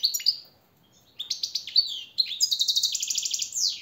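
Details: Goldfinch master song played to motivate caged birds: a few sharp notes, then jerky twitters leading into a long, fast, buzzy rattling trill at the end.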